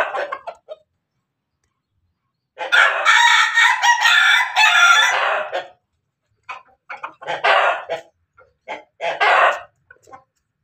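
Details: Ayam Ketawa x Pelung cross chicken in Banguntapan, Yogyakarta, crowing before laying eggs: brief notes, a pause, then a sustained three-second rough crow followed by clipped, stuttering bursts with short silences between.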